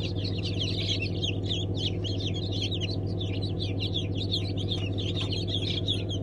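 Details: Group of newly hatched Brahma chicks peeping continuously: dense chorus of high, quick chirps in overlapping bursts, with a loud constant low hum beneath, the first hatch of the season in May 2019.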